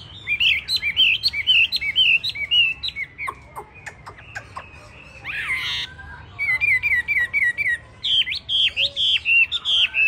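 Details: A 'tam hoàng' hwamei, with yellow feet, bill and feathers, sings loud warbled whistles. Wavering phrases repeat in bursts, a brief lower series and a pause break the song, and then the bright repeated whistles resume.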